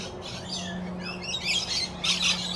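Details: Rainbow lorikeets in a zoo aviary at Brevard Zoo, Florida, calling loudly at lunchtime feeding after squabbling: dense, overlapping shrill screeches and chirps, swelling louder in bursts toward the end, over a steady low hum.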